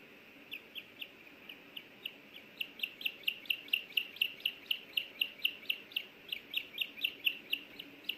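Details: Osprey at its nest in Hellgate Canyon, Missoula, Montana, on May 24, 2024, caught by a nest camera while the female asks for a bite of a small fish the male delivered. A few sparse chirps build into a fast, steady string of piercing whistles, about two per second.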